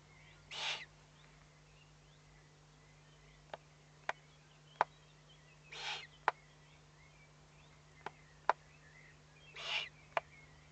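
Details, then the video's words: Owlets give three harsh, breathy hisses about four seconds apart with sharp bill-snapping clicks over a low hum, threatened and warning; recorded 22 May 2015 at 20:42. "Owlets threatened and warning"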